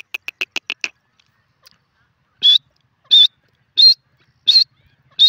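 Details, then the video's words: Quick series of sharp clicks opens, then after a pause a grey francolin in a jungle gives five short, high, slightly rising whistles evenly spaced. "jungli teeter ke voice,grey pheasant in ajungle awaz"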